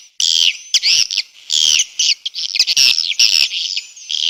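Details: Swiftlet response call: loud, scratchy, high chirrups in quick succession, with thin whistled overtones and almost no gaps.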